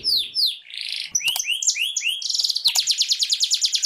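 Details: Singing canary meant to encourage caged canaries to sing: a few sweeping whistles, then varied rolling phrases and a rapid, steady trill of sharp repeated high notes, with faint low knocks in the background.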